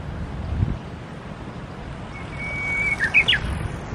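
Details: Japanese bush warbler singing by the Tsurumi River, Japan: a long steady whistled note from about 2.1 s, then quick rising and falling flourishes near the end, with low traffic rumble throughout.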